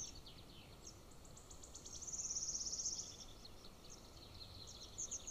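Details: Nest-camera recording of a hungry golden eagle eaglet beside a military training ground, June 18, 2024, attempting to swallow a scrap bone; scattered high squeaks, then a loud, fast, even trill of piercing notes lasting about a second.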